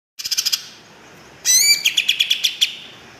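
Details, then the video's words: Greater green leafbird singing: a quick series of six sharp high chips, a pause, then a loud harsh buzzy burst with sweeping whistles running into a string of rapid, evenly spaced bright notes. "kicau cucak ijo mantap"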